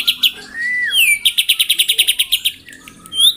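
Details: White-rumped shama, singing in the morning to provoke rivals: a drawn-out rising whistle, a quick high sweep, then an even series of about fifteen sharp repeated notes and a final upward whistle.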